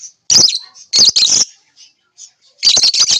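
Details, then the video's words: Lovebirds give shrill, rasping chirps in three quick bursts, the last a rapid run of harsh high notes, with short quiet gaps between. "lovebirds chirping sound"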